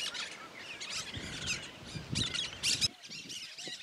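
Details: Cactus parakeet singing unconfined in the sertão of Bahia: rough, shrill squawks and buzzy chatter, ending with a loud sharp screech, then quieter thin calls, with some low background rumble.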